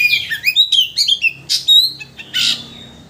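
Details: White-rumped shama singing to provoke another shama into its full repertoire: short slurred whistles and clipped notes in quick succession, with two hoarse buzzy bursts.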